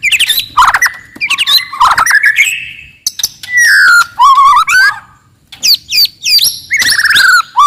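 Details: Forest white-rumped shama singing loudly and aggressively to provoke rivals: a varied, rich phrase mixing clear descending whistles, buzzy warbled trills and sharp harsh notes in fast bursts, with short silent breaks between phrases.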